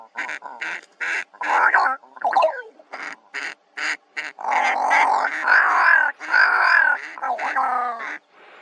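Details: Two ravens calling at Kgalagadi Transfrontier Park, 11 October 2021: quick series of short gruff croaks, then longer, rolling throaty calls merging into near-continuous noisy chatter.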